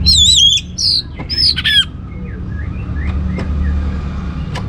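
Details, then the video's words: Lure song of an Orange-headed thrush meant to set other birds singing: a rapid run of loud, warbled, wavering whistles in the opening seconds, followed by faint scattered chirps and clicks against low hum. "ANIS MERAH Cor Suara Penggoda Membuat Burung Kenceng Jadi Ngeplong Lanjut Teler"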